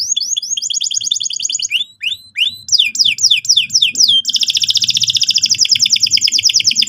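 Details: Canary song played to provoke another bird into singing: buzzy trilled notes, rising whistles, a run of descending slurs, then a long rapid rolling trill to the end.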